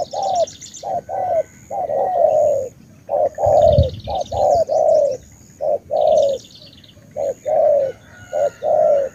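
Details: Spotted dove from Ca Mau, Vietnam, delivering a long run of low coos in short-long pairs, steady and loud, with a brief thump and faint high buzzy trills in the background.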